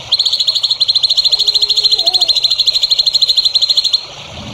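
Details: Sustained high trill from a songbird, recorded as training material for young songbirds: about four seconds of rapid, uniform, pulsing notes, then it stops abruptly, leaving low background hiss.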